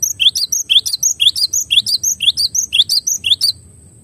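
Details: Clear songbird-training recording of a cinereous tit. Bright, sharp high phrases repeat in a steady rhythm of about two per second for three and a half seconds before stopping, each a rising low note with higher pips above.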